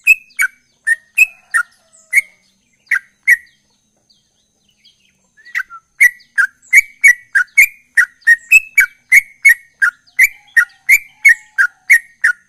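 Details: Sooty-headed bulbul in ropel-style song: a few rapid chirps, a pause of about two seconds, then a long steady burst of quick clipped whistles, a couple pitched higher; background quiet.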